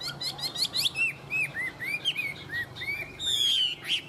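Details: A tame Chinese hwamei in good song: fast high trilled notes, then a chain of arching whistled phrases, closing with a sustained bright whistle and a sharp downward note.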